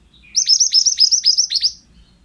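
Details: Male pied bushchat, song used for training other birds: a rapid string of about ten shrill, stuttering high notes with downward hooks, delivered within roughly a second and a half.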